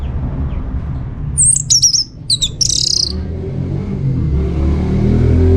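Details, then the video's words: Orange-headed thrush song used as a lure for other birds to respond: a brief burst of high, sweeping whistled notes with quick slurred phrases, followed by low rumbling background noise. "Putar Kicauan ANIS MERAH Gacor Ini dijamin Pasti Ikut Nyaut"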